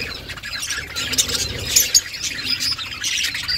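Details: Budgerigar mother feeding chicks: a steady wash of high, scratchy chirps and squeaky notes, with a couple of louder sharp squeaks near the middle.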